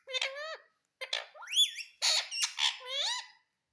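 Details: Pet green parrot indoors repeating "mummy mummy": clear voice-like syllables with bending, whistled tones in short bursts, pausing briefly before more mimicked words, in a quiet room.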